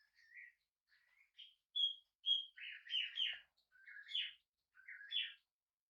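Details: Tame hand-reared budgerigar on its first day at home, indoors, giving a string of short warbled chirps, some rising, some buzzy, loudest near the middle, with brief quiet gaps between phrases.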